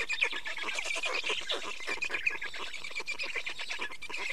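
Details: Estonian black storks at the nest, 24 May 2019 at 15:15, during nest change and feeding; a steady stream of harsh, buzzy, fast-pulsed calls with scratchy overtones and no silent gaps.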